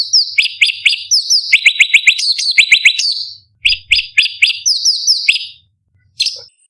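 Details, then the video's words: Competition-training master song of a sooty-headed bulbul (cucak cungkok), described as sharp and high-octave. It is a quick string of clear, downward-sweeping whistled notes, several per second, interrupted by pauses, ending with a single short note. "Cucak Cungkok Istimewa ~ Tembakan Pedas Tajam Oktaf Tinggi Bervariasi Masteran Burung Lomba"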